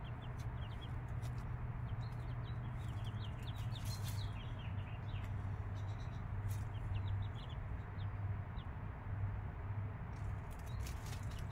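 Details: Chicks five days old beside the mother hen give scattered, high, short peeping notes in loose bursts throughout, with a constant deep droning hum underneath and a few clicks.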